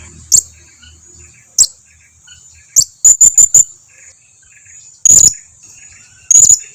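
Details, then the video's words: Blue-crowned hanging parrot lure call for drawing an answer from other hanging parrots: sharp, very high single chips spaced irregularly, then a quick run of four, with a steady thin high-pitched whine running underneath. "Suara pancingan serindit ini dijamin serindit lain yang jarang berbunyi pasti langsung nyahut"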